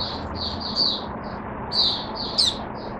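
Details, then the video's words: Caged Oriental white-eye singing soft, high slurred twitters in a few short phrases, partly masked by steady background hiss. "Mata Puteh Hercules V1 buka sing"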